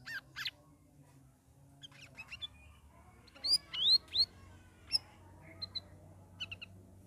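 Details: Sooty-headed bulbul, a caged bird in its third week of ombyokan training, delivering ngeriwik ngeplong song: a pair of sharp high notes, then a run of bright upslurred whistles and brief chirps, over a steady low hum.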